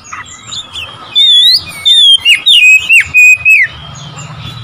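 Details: Oriental magpie-robin singing to provoke rival birds: a quiet start, then a run of loud, clear whistled notes sliding up and down, delivered in quick separate bursts.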